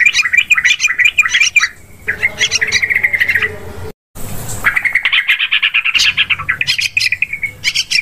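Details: Yellow-vented bulbul chattering, played as a hunting lure for birds in forest, paddies and plantations: fast runs of repeated bright notes and trills, broken by a short gap of silence midway, then resuming in a long busy series.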